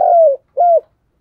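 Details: Spotted dove coaxing coo used to prompt other doves to coo along: two low, mellow, slightly falling coos in quick succession, the first longer, in a quiet setting.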